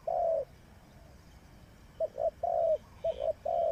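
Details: A spotted dove used as a trapping decoy calls in low mellow coos: one long held note, a pause, then short paired notes and two further sustained coos, against quiet background noise.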